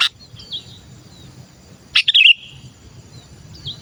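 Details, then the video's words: A sooty-headed bulbul calls to draw in other bulbuls: a sharp click, then a fast tumbling cluster of three rich, warbled notes, with faint thin whistles elsewhere and low hum beneath. "Suara Burung Kutilang Gacor Memanggil‼️masteran burung kutilang pikat"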